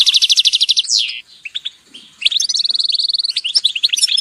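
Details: Group calls of European goldfinches. A fast buzzy high trill opens, followed by a falling slur and loose chirps, then a long steady rattle of bright repeated notes with twittering around it.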